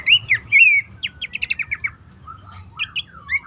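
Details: Bush warbler calling, used to coax silent or stressed caged birds into song. Two bright swooping whistles give way to a fast run of descending chips, then quieter scattered high notes and a drawn-out slurred whistle.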